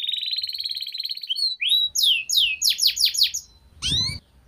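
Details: Canary training song: a fast rolling trill, then loud descending sweeps repeated several times and a final rising whistle over a brief noisy thump.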